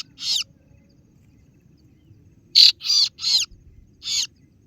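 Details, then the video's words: Kaso-kaso bird calling rivals: one rough, buzzy note, a long silence, then four loud grating 'ciet' notes spaced about a third of a second apart. "Suara pikat burung kaso kaso(singo Barong)"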